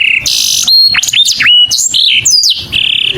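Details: A saffron finch calling its friend gives a jumble of varied phrases: a short flat whistle, buzzy bursts, swooping rising and falling notes, and a steady whistled tone at the end.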